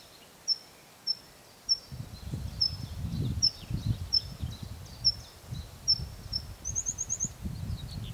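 Tree pipit song: thin, high notes repeated about every half second, then a quick high trill, over a low rumble of wind or distant traffic.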